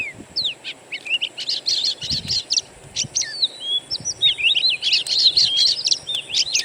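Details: Oriental magpie-robin (kacer) recorded from wild birds as a singing lure: bursts of buzzy chatter and clicks alternating with clear rising whistles, some soft low knocks beneath.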